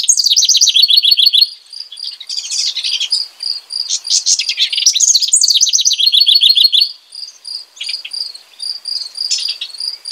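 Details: Repeated bubbly songs from a house wren: fast trilled openings falling into jumbled, rattling notes, several phrases in ten seconds, with a steady high pulsed chirp in the background.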